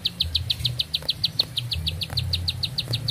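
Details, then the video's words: Bar-winged prinia singing strongly, a brisk series of high, sharp chirps evenly spaced at about seven per second, with a low drone behind. "Nafas Panjang, Nembak Satu Lagu, Ciblek Sawah Gacor"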